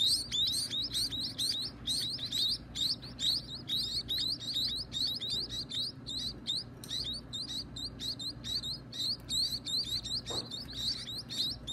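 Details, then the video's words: Young birds calling for food at feeding time, a busy chorus of sharp upswept squeaky chirps, repeated rapidly and overlapping, with a brief low knock near the end. "Feeding the baby birds"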